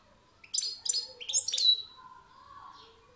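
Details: European goldfinch singing a quick twittering phrase: three or four bright, buzzy chirps rise into a sharp, liquid trill, then fade into a soft lower warble, all in about a second and a half.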